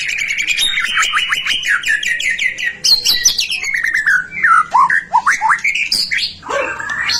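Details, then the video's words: White-rumped shama in vigorous song, used to stimulate singing in other shamas: rapid repeated chips, then a run of slurred whistles dipping and rising, with scratchy notes between. "Suara murai batu gacor AMPUH buat PANCINGAN murai batu agar BUNYI"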